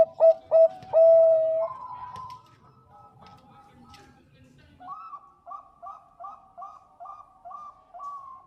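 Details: A vocal zebra dove, whose song is used as a lure to prompt other doves to sing, gives soft, mellow coos: a few strong opening notes, then a quick run of about seven short two-toned coos.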